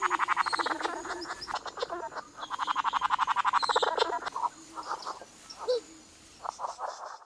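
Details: A courting male bowerbird's rapid, dry rattling churrs in quick bursts, then looser clicks and rasping notes, with faint background hiss.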